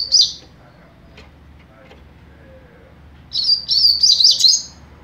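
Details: Young double-collared seedeater singing mateiro style: a short high note, a long pause, then a rapid run of high warbled whistles over a second and a half.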